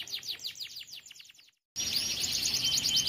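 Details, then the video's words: Canary roll for tutoring young canaries: about one and a half seconds of quick, high falling trill notes, then a short silence and a burst of hissy, crowded high sound. "ROLL NONSTOP COCOK UNTUK MASTERAN KENARI MUDA"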